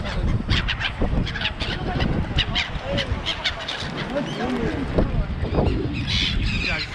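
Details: A crowded flock of gulls at Songdo, Busan, near people with food, gives overlapping harsh squawks and yelping cries, with people talking and steady outdoor rumble underneath.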